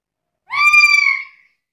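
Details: A single sustained, even-pitched squeal from a chatty black-capped lory, used to stimulate and tutor other birds. The rich, buzzy tone fades out gradually.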